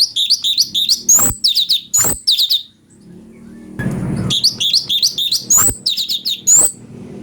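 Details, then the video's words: Ashy bulbul, with song used to tutor magpie-robins: two lively bursts of high, downslurred whistles and chirps in quick succession, separated by a brief gap with a muffled noise. "CUCAK CUNGKO||fariasi suara cungko buat masteran murai"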